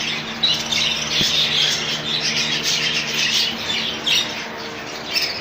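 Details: Many rainbow budgies in a colony chatter continuously, a busy mix of high squeaks and warbled notes, with a single sharp knock partway through.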